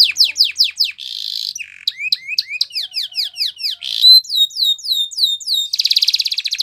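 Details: Spanish Timbrado canary training song: rapid trills of steep descending sweeps, buzzy rattling rolls and upward-hooked whistles, shifting to a new phrase about every second in a continuous, loud, clean recording.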